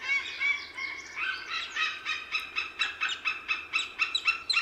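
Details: White-tailed eagle giving a long, excited series of high yelping notes, uneven at first, then settling into rapid repeated barks that rise and fall in loudness.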